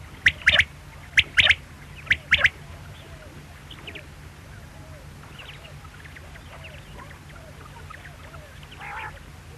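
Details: Three quick groups of clipped, high quail notes open the recording, then it fades into quiet background with faint distant chirps and low hum.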